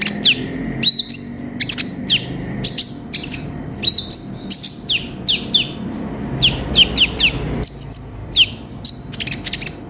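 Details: Sunbird known as konin singing a busy 'full isian' master song: rapid high chirps and downward-sweeping whistled notes in dense strings, with short pauses and a quiet low background hum.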